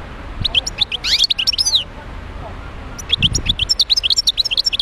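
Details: Wild European goldfinch singing in Médéa, Algeria: two bursts of rapid, tinkling twitters and liquid trills, the first near one second, the second longer and continuing to the end, over a low background rumble.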